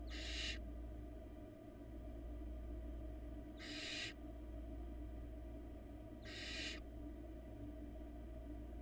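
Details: Nest-cam barn owl nestling in Florida, 2022 brood of four, producing three loud raspy hisses spaced about three seconds apart above a continuous low electrical hum.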